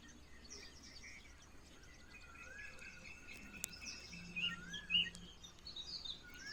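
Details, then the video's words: Birds singing in the morning: scattered thin whistles, short rising and falling chirps and a few brighter notes over steady low background noise. "sounds of birds"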